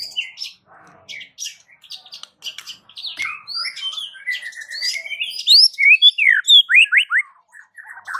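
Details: White-rumped shama singing a unique phrase said to prompt the village's shamas to answer; a busy mix of chips and whistles builds into loud, quickly repeated upward-sweeping notes.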